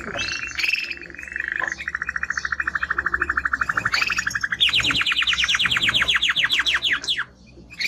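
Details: Timbrado canary, a strong male singer, delivering fast rapid trills around mid pitch, then a higher, sweeping run of rising notes repeated quickly, ending in a brief pause and a few scattered notes.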